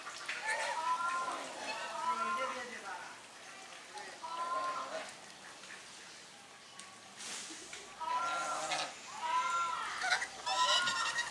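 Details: Domestic swan geese mixed with grey domestic geese drying their bodies, recorded on a Sony camera; repeated harmonic honks in quick groups, a quieter stretch midway, then a lively overlapping chorus from several birds.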